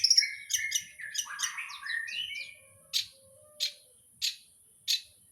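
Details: A long-tailed shrike (cendet) runs through a burst of varied whistled and buzzy phrases that slide downward. It then drops to four evenly spaced, sharp high notes about two-thirds of a second apart.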